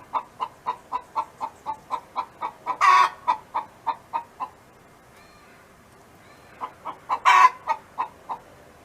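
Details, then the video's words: Hen on a neighboring farm clucking in an even series, about three clucks per second, with a harsh burst near three seconds, a pause, then the clucking and a second harsh burst resume. "Chicken Hen Sound Effect [Audio]"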